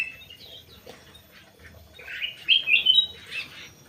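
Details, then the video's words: Crewet in an aviary: a few thin, scattered notes, then a loud, rapid twittering phrase of bright chirps in the second half, fading into softer chatter. "BURUNG CREWET"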